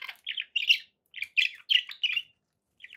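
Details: Pet budgerigars indoors giving short chirps and warbled squawky notes in separate bursts with brief silences between them, then a faint closing chirp.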